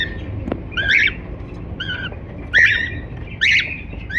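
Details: Cockatiel chirping in song, several bright whistled calls rising and falling, roughly one every second, with faint taps and a low hum underneath.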